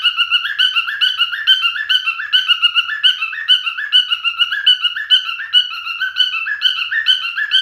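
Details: Male cockatiel's song: a sustained, even stream of bright whistled notes climbing and dropping in short steps, repeating the same melodic phrase many times without pause.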